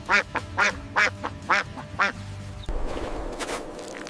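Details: A large white farm duck gives five loud, nasal quacks about half a second apart, followed by a soft hiss of background noise.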